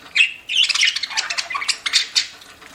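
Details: Pet budgerigars chirping while eating, a dense run of harsh squawky chirps and warbles packed close together with barely a pause.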